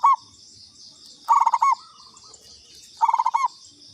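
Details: Zebra dove, local bird, lure call: fragments of stuttering coo phrases, a trill of quick low notes ending on a longer note, repeated about every 1.7 seconds. A shrill insect chorus hums steadily behind.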